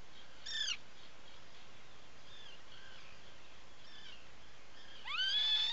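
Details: Atlantic puffin at a nesting burrow on Seal Island National Wildlife Refuge, Maine, 16 July 2018, late morning: a sharp, bright call, faint notes, then a louder rising, drawn-out call over a steady hiss.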